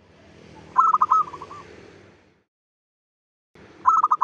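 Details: Dawn singing of a local zebra dove: a run of stuttering coos drawn out into a rolling trill, a long pause, then the next phrase starting, over steady background hiss.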